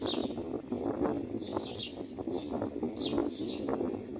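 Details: At a nest where a mother myna feeds newborn chicks, raspy high bursts sound in quick clusters, mixed with low rustling and faint mid-pitched chatter.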